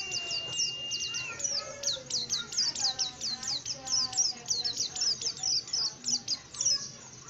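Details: A tame oriental white-eye sings eagerly, a rapid run of bright, very high chirps repeated several times per second, with one long steady whistle near the start.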